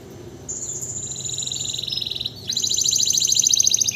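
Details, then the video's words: Canary singing strongly after its moult, a tutor bird for other songbirds: steady high buzzy trills at two pitch levels, each held for over a second, then a louder, rapid rolling trill with quick repeated notes rising in volume. "kondisi setelah mabung kenari langsung gacor"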